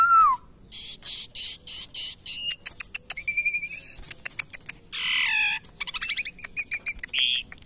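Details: A captive Asian pied starling being tamed runs through a varied medley: a slurred falling whistle, quick clipped notes, then harsh buzzy rattles and scratchy chatter, ending with a brief clear whistle.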